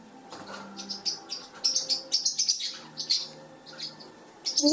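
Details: Month-old blue parrotlet fledglings making first flights inside a house give clusters of sharp high chirps, rapid and uneven, with a low voice faintly underneath.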